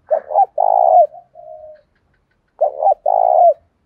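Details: Cooing spotted dove in 'đồng pha' style, meant to call cage birds into song and provoke fighting: two complete phrases, each a doubled short note then a long warm coo, the first ending in a soft fading note.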